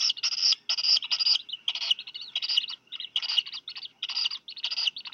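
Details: Two Black Guillemot chicks, hatched 26 and 27 June, getting one fish each in a double delivery from their parents at Seal Island National Wildlife Refuge, Maine, USA, 4 July 2020, mid-afternoon. Shrill, harsh high cheeps come in rapid bursts, about two per second.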